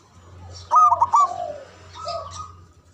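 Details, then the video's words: Zebra dove of local Javanese stock, loud and long-breathed, used as a lure that calls other doves to reply. A sharp burst of four rolling, stuttering coos, then a fading drawn-out note and a softer coo over a low hum. "Banyak Di Cari Untuk Pendobrak Perkutut Bisu🔇 Malas Bunyi 🔊 Stress Kembali Gacor"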